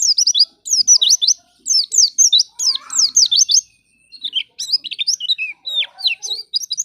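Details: Lure song of a white-eye meant to trigger singing in untrained white-eyes: energetic runs of high, slurred chirps, then a more varied, jumbled twittering phrase with scattered lower notes.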